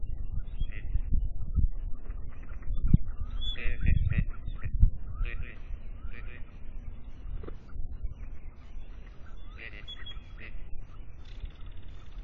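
Gadwall giving short, nasal, reedy calls in loose bursts about once a second, over a heavy low rumble of wind or handling noise.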